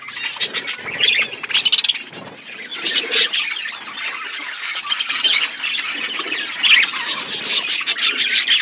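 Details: A crowd of budgerigars in a forest-environment aviary chirp nonstop, scratchy warbles and quick squeaks overlapping in a lively chorus with occasional sharper clicks and louder peaks.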